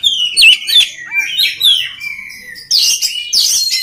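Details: Oriental magpie-robin with clear whistles and downward slurs, then harsher, buzzier bursts toward the end, used as training song for other birds of its kind.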